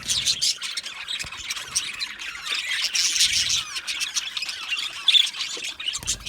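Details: Budgie parakeets chatter in a group, their chirping a sign of contentment: continuous warbled, squeaky high notes overlapping with one another, with a single clearer whistled note near the end.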